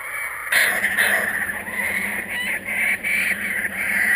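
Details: Returned kookaburras: an abrupt loud start, then a steady rasping chatter with brief catches, over a low background hum.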